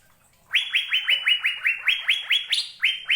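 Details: Asian fairy-bluebird of Indonesia: after half a second of silence, a fast run of around twelve bright upslurred whistles, evenly spaced at roughly four per second, with one or two jumping higher.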